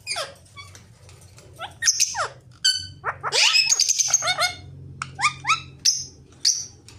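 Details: Pet ringneck parrot said to talk, giving a busy mix of squeaks, harsh screeches and rapid chattering, followed by a string of short, sharp notes near the end.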